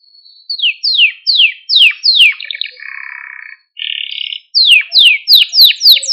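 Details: Male Maltese canary singing to stimulate other canaries: a run of descending whistled sweeps, then a steady trill and a buzzy burst, followed by more rapid falling sweeps repeated about three per second.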